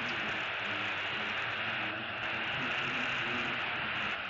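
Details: Continuous hissing static and broadband hum run throughout, with no animal calls.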